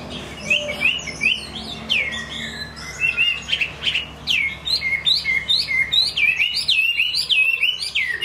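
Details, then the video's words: Hwamei song builds from scattered whistles into a dense, quickening stream of bright looping notes, rising and falling sharply, about two notes a second, growing fuller toward the end. "Họa mi hót"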